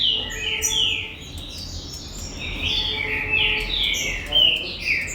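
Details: Green-winged saltator at a breeding facility, Gold Rush song type: rich whistled phrases with downward and upward slides, a faint lower steady tone in the background.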